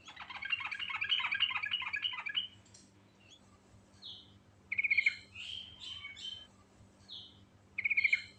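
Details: Lively, naturally recorded Sooty-headed bulbul in rolling ngerol song with varied fill-in phrases: a two-second run of rapid chattering notes, then scattered whistles and short bright stuttering bursts repeating every few seconds.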